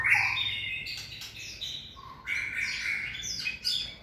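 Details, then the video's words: Shama trained for long-lasting fiery 'lửa bó lông' singing, which a healthy bird keeps up for a long time: dense, bright whistles and trills in quick bursts, with rapid note changes and short pauses. "Tập lực cho lửa bó lông (shama bird)"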